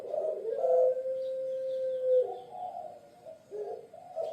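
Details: Low, throaty cooing from a Puter Pelung dove of Java, Indonesia: a short rolling coo leads into a long sustained steady note, followed by softer broken coo fragments.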